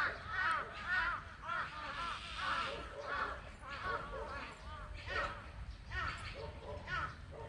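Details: Several crows calling, seemingly angry at being filmed: repeated hoarse, arching caws in a steady series of about two per second, with a low background rumble.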